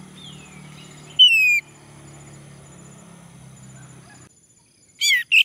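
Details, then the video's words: Male orange-headed thrush used as a singing prompt: a soft falling whistle, then a louder clear note that drops in pitch, a low steady hum behind, and two short bright notes close together near the end. "Anis merah jantan, agar bunyi"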